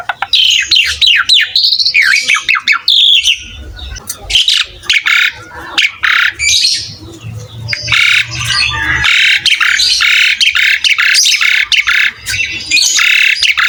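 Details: Asian pied starling in vigorous gacor song, used as masteran for young birds: harsh squawks and chattering notes mixed with rising whistles, nearly continuous with short pauses, faint low hum beneath.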